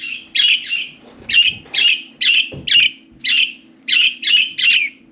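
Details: Budgerigars, four pets playing on and inside their cage; about ten bright chirrupy notes repeated roughly every half second, each a short warbled burst, over a low indoor hum.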